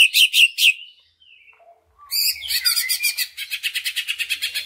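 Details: Greater green leafbird song used as a lure to stimulate other leafbirds to sing: three loud bright chirpy bursts, a pause with faint thin notes, then a fast rattling run of rapidly repeated high chips.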